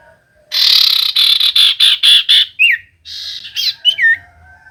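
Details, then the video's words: Common iora song used to lure reluctant birds into singing: a series of loud, evenly pulsed buzzy notes, then a few bright downslurred whistles. "Pancingan Cipoh Gacor‼️Paling Manjur Burung Cipoh Malas Bunyi Langsung Nyaut"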